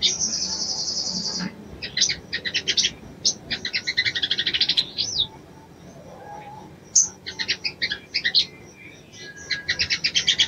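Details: Female Crescent-chested Babbler summoning a male to bring him into breeding condition, opening with a long shrill trill, then repeated clusters of fast, high staccato chirps with short pauses.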